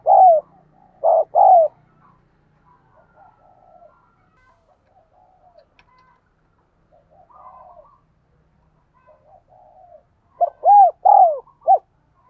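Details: Urging coos of a spotted dove, used to train decoy doves and draw wild doves to call. Loud, mellow, bubbling coo phrases open and close the recording, with faint softer cooing between them in a quiet room.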